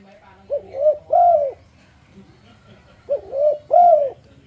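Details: Spotted dove lure call intended to make other doves sing along: a pair of matching phrases, a brief coo, a swelling middle note and a longer hoarse arched coo, separated by a two-second pause with soft low noise.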